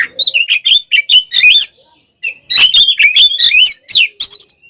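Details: Oriental magpie-robin singing a loud fighting song intended to provoke others. Choppy bursts of twisting whistles and scratchy notes, a brief pause, then a longer torrent of varied slurred phrases.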